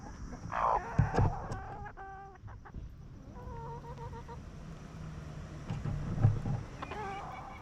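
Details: Free-range hens scratching and feeding in a farm yard cluck peacefully: short stacked clucks in quick runs, a drawn-out murmur midway, with thumps and scratching noises in the dirt.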